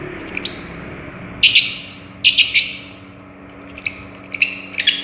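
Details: Long-tailed shrike from Madura singing a varied song that copies other birds' voices: bursts of harsh, scratchy chattering alternating with thin high whistled notes, over a faint constant hum.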